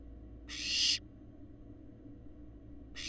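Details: Florida live-cam barn owl fledglings, large and adult-looking: one drawn-out harsh hiss rising in loudness for half a second, then silence before another begins at the very end; low hum throughout.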